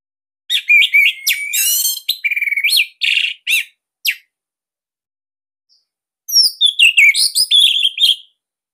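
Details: Loud, dense song of an Orange-headed thrush (Bali type), a recording meant as a master for young or silent birds: a string of rich whistled notes and slurs, a gap of two seconds, then a rapid, twittering final phrase.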